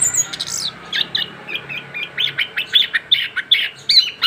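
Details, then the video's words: Post-moult young orange-headed thrush gives a rolling ngerol phrase of quick bright chirps and short whistled slurs, about three notes a second, above a soft steady background hum. "kicauan anis kembang muda ngerol pasca ganti bulu"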